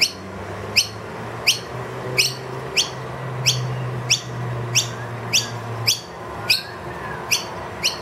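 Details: Wild noisy miner that brought two young into a room, demanding food loudly once the feeder ran empty: sharp, bright upslurred chirps repeated roughly every half to one second over a low steady hum.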